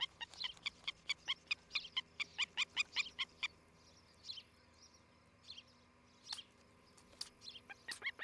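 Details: Osprey at a nest in Charlo, Montana, on a nest camera on the morning of 07-11-2018. A rapid string of piercing whistled chirps, roughly two per second, fades after three seconds into scattered fainter notes and clicks.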